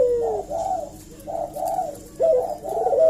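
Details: Eurasian collared dove giving a lure coo: gentle arched hooting notes, then an abrupt rising note leading into another soft coo.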